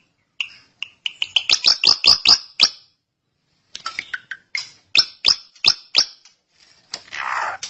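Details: Long, continuous gacor song of a srigunting (drongo): rapid series of sharp, downslurred high notes repeated about two or three per second in two bursts, ending with a rough raspy note.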